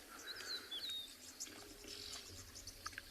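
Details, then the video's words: At sunrise on 10 March at Tswalu Kalahari Reserve, South Africa, several oxpeckers fly in and come down around the vehicle, giving thin, high hissing and whistled calls. "you can hear these ox peckers all coming down around us now again"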